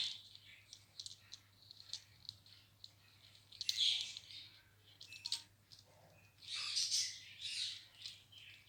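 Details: Ringneck talking parrot at play with its toys, in a happy mood, giving scattered thin chirps and rattly clicks, then a louder harsh squawky burst near the end.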